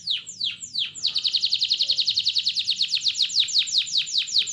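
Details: Canary singing as a lure to get other canaries singing, starting with three slow falling whistles, then a sustained rapid trill of short downslurred notes, slowing slightly at the end.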